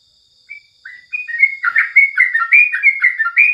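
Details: Morning tutor song of a yellow-vented bulbul: a few spaced whistles open the clip, then the bird breaks into a fast, dense run of bubbly rising and falling notes over a faint steady hum.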